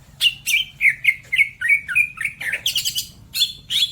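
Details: Greater green leafbird from Majalengka, West Java, kept by songbird hobbyists, delivering a series of sharp, descending whistled chips about three per second, then a burst of harsher, buzzy chatter and two drawn-out clear whistles.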